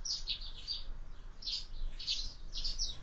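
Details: Flock of sparrows at a window-mounted feeder during breakfast; soft, blurred chirps in rapid overlapping bursts over a constant low hum.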